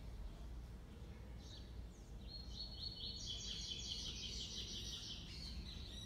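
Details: Young brown double-collared seedeater, six months old, in a singing duel with a black-plumaged bird, delivering a classic three-note song: a fast run of high, chattering trilled notes that builds midway, set against steady low noise.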